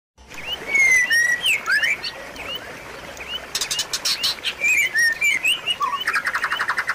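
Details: White-rumped shama song used as a lure and tutor recording to get a silent bird singing again; varied clear whistles, slurred down-and-up notes near the middle range, then a burst of sharp clicking rattles and rapid buzzy repeated notes.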